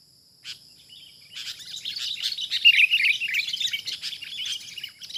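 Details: Wild sooty-headed bulbul reacting to a decoy during trapping: a few isolated chirps, then a rising burst of busy, tumbling chattering notes that stays lively and fast to the end.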